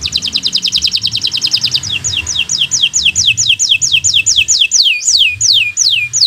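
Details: Local canary in bottle-green colour, a learning model for young birds: a rapid high trill that slows into evenly spaced downward-sliding whistles.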